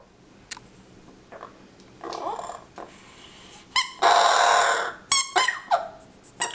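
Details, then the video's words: Pet parrot indoors, talking at a dog's squeak toy: scattered faint noises, then a loud harsh rasping burst lasting about a second, followed by several short squeaky harmonic notes in a small room. "Parrot talking with toy"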